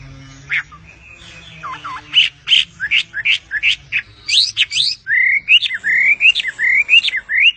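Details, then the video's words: Bird on its owner's hand giving harsh, squawky notes that shift into a series of rising whistled chirps, about one and a half per second, over a low background hum. "passaro cantando na mão do seu dono"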